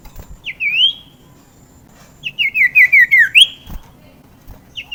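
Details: A common iora gives a rising whistled note, then a quick run of about six rising slurred whistles that step slightly downward, followed by another rising note; a sound meant to stir quiet birds into singing.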